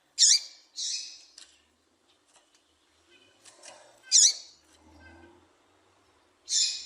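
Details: Female papa-capim seedeater piado meant to excite males to sing; sharp, high-pitched chirps in a quick pair at first, then single calls after long gaps, with faint low background rumble and scattered soft sounds.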